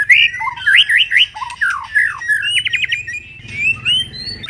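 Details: Moulting white-rumped shama sings rich varied whistles, quick up-and-down slurs and a short stuttered burst, with softer notes trailing off.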